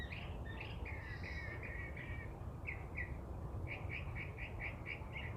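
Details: Loud daily song of a songbird at its favourite tree perch in Los Angeles, April. Bright warbled phrases change rapidly, followed by a run of short chirps repeated evenly about five times per second, with steady low-pitched background rumble.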